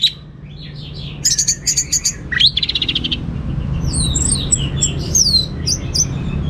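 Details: Orange-headed thrush singing in the 'teler' style: a rich, varied run of high whistles, rapid buzzy note bursts and sweeping slurred phrases, over a steady low hum.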